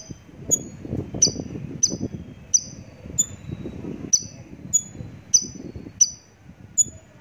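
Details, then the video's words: Javan bush lark repeating short, high, clipped notes roughly every two-thirds of a second in a steady series, with a soft low rumble underneath. "branjangan javanica"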